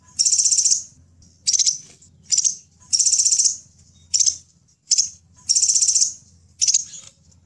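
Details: A crimson sunbird gives high, thin, buzzy bursts in a loose series about one a second, some long and some clipped, over a faint low hum, used as a lure call for wild sunbirds; Crimson sunbird.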